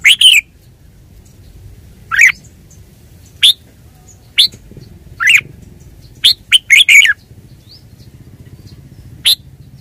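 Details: Red-whiskered bulbul delivering a string of sharp, high chirps and short warbled notes at irregular intervals, some in quick clusters, against a low rumbling background.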